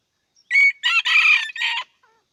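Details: Red junglefowl in Aceh giving a clipped crow of four harsh, buzzy segments separated by tiny breaks, the third longest and loudest, ending abruptly with a faint trailing note.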